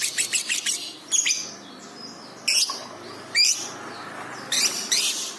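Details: Lovebird on a masteran recording made to train pet birds: a quick run of four high chirps, then single sharp, shrill calls spaced one to two seconds apart against a quiet background.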